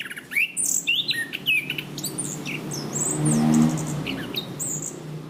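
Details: Cage-kept Orange-banded thrush of Southeast Asian forests in a tutoring recording: quick sharp whistled notes and high squeaky phrases in the first half, then softer scattered chirps over a steady low hum.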